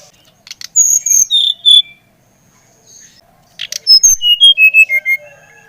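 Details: Brown-chested jungle flycatcher of the Bali type giving stimulating song: a few high whistles with buzzy accents, a short silence, then a lively descending string of about eight clear notes.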